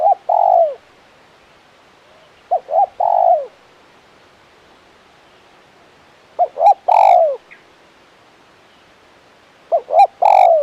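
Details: Spotted dove (tekukur) calling in the KUK 1 style, a crisp, full-voiced bird: four phrases of two brief coos followed by a drawn-out downslurred coo, with faint higher clicks and a thin chirp between phrases.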